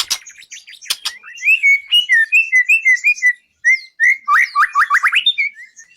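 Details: White-rumped shama song for contest training: a series of clear whistled notes at even spacing, followed by a rapid run of steeply rising whistles, with a few clicks at the start.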